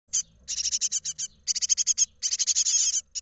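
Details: Great tit nestlings in a nest box in Israel on 31 March 2021, hatched 12 March and getting ready to fledge, beg in rapid bursts of high, hissy, rasping chips. They come several per second in three long runs with brief pauses.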